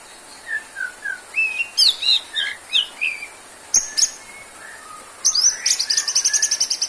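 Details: White-rumped shama in full song: slurred whistles and rich, chattering phrases, then a pause and a fast, rapidly repeated buzzy trill at the close.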